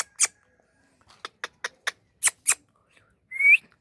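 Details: Pet Indian ringneck parakeet making a string of dry tongue clicks of varying loudness, ending with a single clear upward-sliding whistle.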